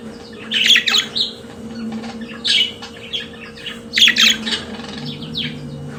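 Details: Pet budgerigars singing: a few separated bursts of raspy chirps and squawks about every second, quieter gaps between them, over a constant low hum.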